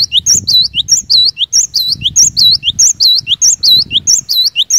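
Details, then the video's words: Vigorous cinereous tit song used to get other cinereous tits singing: continuous high, ringing phrases of a curved whistle and lower sharp notes, repeated about every half second throughout, with soft low rumbling below. "Kicauan Glatik Batu Gacor Ini Cepat Bikin Glatik Batu Lain Bunyi Gacor"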